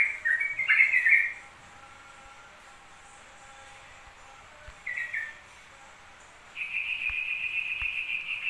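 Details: Yellow-vented bulbul singing in a continuous two-minute session: a bright bubbly phrase, a shorter chirp later, then a sustained steady whistled tone over faint background hum.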